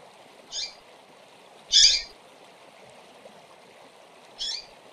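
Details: Female double-collared seedeaters calling to fire up male birds: three short high chirps, the second louder and buzzier, spread over a few seconds against a steady low hum.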